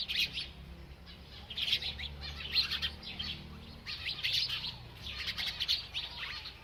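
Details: Feeding bird keeps chirping in bouts of rapid high twittering notes, roughly four bursts separated by brief quieter gaps, with a soft low background hum.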